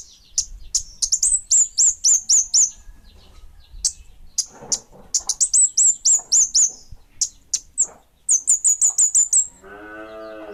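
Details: Kemade Bunga Api bird singing repeated bursts of rapid, high whistled chirps with short pauses between, ending with a lower, harmonic nasal call.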